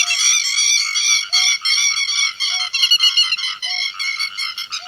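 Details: Grey-headed lapwing flock call used to lure birds into nets: a dense, almost continuous stream of harsh, ringing notes from several overlapping birds, and a short, low tone repeating about every 1.2 seconds.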